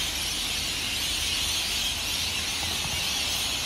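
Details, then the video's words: A wall of high-pitched screeching from hundreds of rainbow lorikeets roosting in Norfolk Pine trees by Burleigh Heads Beach, South East Queensland, Australia, just before sunrise, unbroken and without distinct single calls. "The noise of Hundreds of Rainbow Lorikeets at Burleigh Heads"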